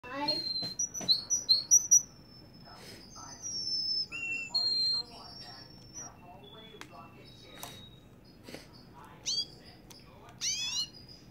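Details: Russian canary from Kuwait singing in bursts of clear whistled notes. Some notes hold level and high, others sweep or flutter, with short buzzy runs between pauses. A few sharp clicks are heard against a quiet background.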